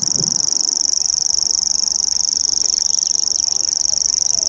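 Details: Grasshopper warbler reeling at Bowesfield Marsh on 19 June 2017, singing non-stop for an hour, Nikon P900 recording: a loud, even, high-pitched buzzing trill, with a brief low thump at the start.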